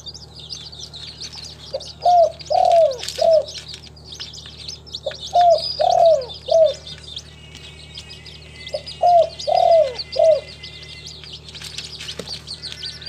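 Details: Spotted dove, a local tekukur in a kept collection in Timika, Papua, Indonesia, calling three times: each a mellow low coo trio with a longer down-sliding centre note, spaced about four seconds apart, over faint high bird twitter.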